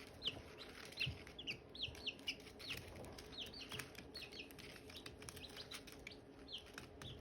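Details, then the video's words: Silkie chicks chirping beside hatching eggs: a quick run of high, downslurred peeps early, then sparser, softer peeps, over faint rustling and a low hum. "Silkie chicks chirping, Hatching eggs chirping sounds"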